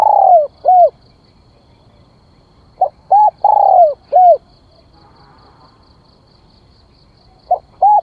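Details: Spotted dove used as a lure bird, repeating its cooing phrase three times with pauses: short notes and a long falling coo. Faint rapid high ticking runs through the middle of the recording.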